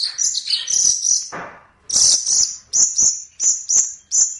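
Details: Long-tailed shrike (pentet or cendet) in a training song for other birds. Loud, shrill whistled phrases, then about five short piercing whistles with short pauses between them.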